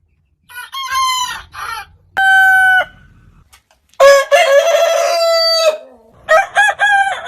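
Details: Rooster crowing from a compilation of heritage chicken breeds: loud harmonic crows with a long sustained level note, several separate crows with short gaps.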